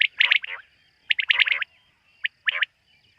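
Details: Quail calling at night, the bird that is hunted: rapid clusters of sharp, high notes, some rougher and buzzier, coming in bursts roughly every second against a quiet background.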